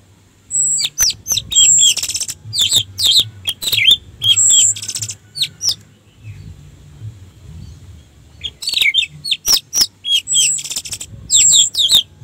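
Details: Orange-headed thrush lure song to excite other birds into singing: energetic, tightly packed phrases of high swept whistles and sharp chirps, repeated in bursts, with a brief quiet break midway.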